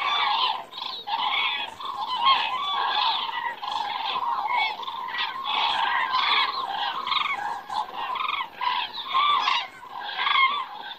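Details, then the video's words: A flock of common cranes circling overhead on an Estonian September evening, 2017; a dense, continuous chorus of overlapping rolling, trumpeting calls from many birds. "Cranes fly by and circling in the sky"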